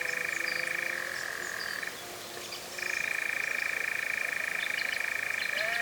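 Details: A European nightjar (Caprimulgus europaeus), possibly the first nightjar recorded in 2026, churrs at dusk or dawn in forestry in Britain. It gives a dry, rapid, mechanical trill held steadily, broken by a brief pause, with faint low whistles and a short rising note behind it.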